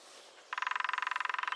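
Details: Close, loud drumming from a lesser spotted woodpecker in the New Forest: a fast, even rattle of knocks running on for over a second.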